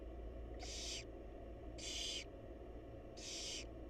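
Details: Inside a research-monitored nest box, wild barn owls during a feeding by the mother; three broad, breathy screeches roughly a second apart, each about half a second long, over electrical hum.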